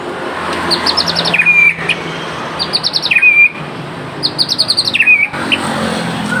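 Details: Actively singing murai Aceh (white-rumped shama) delivers the same phrase three times, about every two seconds. Each is a burst of high ticking chips followed by a short, piercing whistle, over low background rumble.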